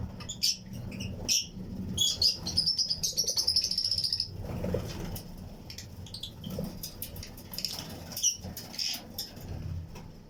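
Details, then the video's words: Pairs of Fischer's and lutino lovebirds in a colony flight cage chirp among other birds; a rapid run of high twittering notes near two to four seconds, then scattered shrill chirps over low background hum. "Fischers & Lutino Colony Chirping Sounds"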